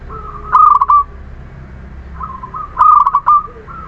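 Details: Local Muria zebra dove song, used to coax reluctant doves into singing: two loud, bubbling, rolling phrases separated by quieter cooing notes, over a low background rumble.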